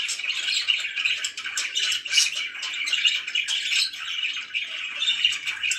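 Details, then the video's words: Several budgies chatter together without break, a steady blend of buzzy warbles and high chirps, dense and overlapping. "#chirpingbirds #budgie"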